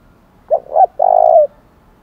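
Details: Spotted dove giving a thổ đồng style challenge coo meant to provoke fighting: two short rising coos, then one long steady coo, a single phrase in a quiet setting.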